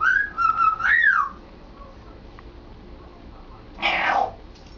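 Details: Pet male African grey parrot practising talking at home: clear tonal whistles wavering and swooping near one pitch for over a second, then a brief breathy, noisy squawk after a pause.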